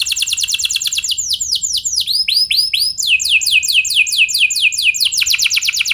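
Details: Canary song played to prompt other canaries into singing: fast rolling tours of high, downward-sweeping notes, each phrase repeated several times before switching to a new, slower sweeping motif, continuous throughout.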